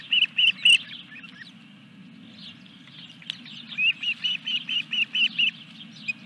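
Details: Third fish brought to the Dunrovin Ranch osprey nest, 14 July 2021: three quick shrill chirps open, then after a lull a rising run of about nine evenly repeated whistles. Steady low hum in the background.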